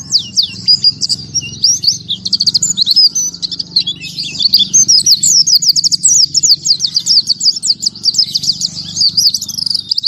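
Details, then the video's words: Oriental white-eye (pleci) singing a long, breathless rapid song: continuous high twittering trills of quick rising and falling whistled notes, tightly packed with almost no pauses, steady loud delivery throughout. "KICAU PLECI #1 Tembakan Tanpa Nafas"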